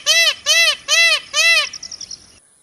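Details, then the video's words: Four strong, evenly spaced, arched honking cries from a peacock, about half a second apart, trailing off into a faint fading stutter before silence. "peacock's sound"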